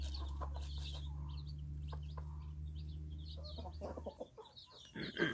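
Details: Broody hen accompanied by chicks: soft repeated clucks and brief high chick peeps over a constant low droning hum, with a few louder knocks near the end.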